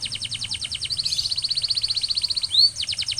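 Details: Song of a canary intended to trigger singing in silent canaries: a brisk pulsed trill shifting into a smoother, fast rolling trill, a single upward sweep, then rapid pulses again.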